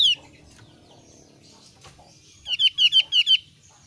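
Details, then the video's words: Thin-browed Javan grey-throated white-eye calling: one high down-slurred chirp at the start, a quiet pause, then a quick string of five or six bright, descending chirps. "ciri khas suara burung opior alis tipis"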